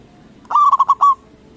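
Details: Loud local zebra dove meant to trigger replies from other doves: a single bright phrase of five fast, soft-edged coos, the last one stretched out.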